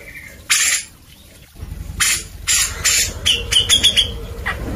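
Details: Grey-cheeked bulbul in lively, full song, used as a training recording for white-rumped shamas: several loud, harsh, broadband bursts, then a quick run of clear whistled notes near the end over a steady background hum.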